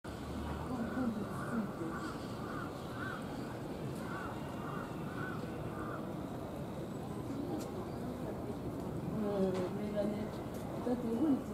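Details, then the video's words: A crowned hornbill at Ueno Zoo, Tokyo, Japan, gives a run of short, reedy piping notes, about two per second, in two bursts, with people talking in the background. "Crowned Hornbill"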